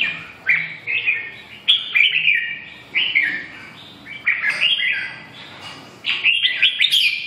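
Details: Red-whiskered bulbul delivering lively, liquid song phrases, each a quick burst of slurred whistled notes separated by brief pauses, the final phrases climbing higher.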